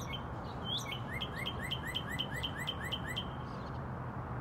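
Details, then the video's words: A northern cardinal in Texas sings about ten clear, rising slurred whistles, roughly four per second, over a low background rumble. "Red bird singing"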